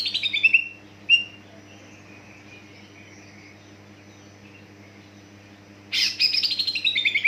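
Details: Greater green leafbird song, played to trigger other leafbirds to sing: a short descending buzzy trill near the start, a brief chirp, then a loud rapid series of descending notes repeated at the end, over a steady low hum.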